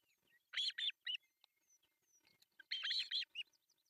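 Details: Breakfast feeding at an artificial osprey nest in Pohjois Satakunta, Finland, with three chicks, July 1, 2024: loud rasping double notes, then quiet thin whistles, then another burst of grating calls and a short final note.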